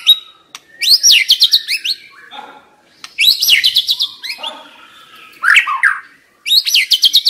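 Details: White-rumped shama used as a decoy, singing in bursts. Quick, high, sweeping notes are repeated in trills, with lower harsh chatter between the bursts and brief silences separating the phrases.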